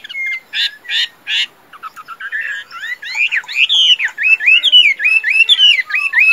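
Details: Tame Chinese hwamei kept caged in Vietnam for song and fighting gives three harsh buzzy bursts, a stuttering trill, then a string of clear looping whistles rising and falling.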